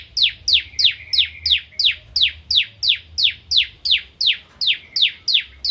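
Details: Energetic bar-winged prinia song of the 'kristal' type, meant for training magpie-robins; a long even series of sharp, descending high chips delivered about three per second, with a faint low hum underneath.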